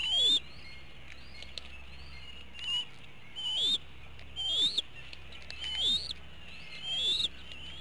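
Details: Eaglets in a nest at Hanover, Pennsylvania, at dinner time on 5 April 2017, around 17:01, one missing out on the meal; high squeaky rising chirps repeated roughly once a second over a low steady hum.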